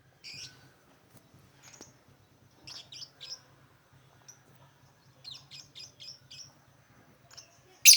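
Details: Lovebird chatter meant to attract lovebirds: scattered soft twittering notes in small bursts of three to five quick chirps, a faint low hum beneath, ending with a sudden loud shriek.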